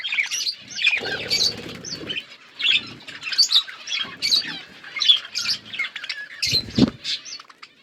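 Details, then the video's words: Budgerigars in a flock chirping in short bursts of bright, squeaky warbled notes with small gaps between them, accompanied by rustling wing flutters and a sharp knock near the end. "Budgies flocks birds chirping sounds"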